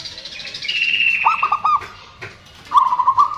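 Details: Zebra doves, a male and female chorus used as a lure for birds that stopped singing: a thin, high whistle-like note, then bubbling coo phrases, with another dove's trill near the end.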